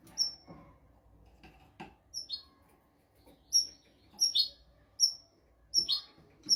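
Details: European goldfinch singing royal tutor phrases for training goldfinches and canaries: sparse sharp high whistles and short buzzy twitters, appearing irregularly every second or so, with faint clicks and knocks in between.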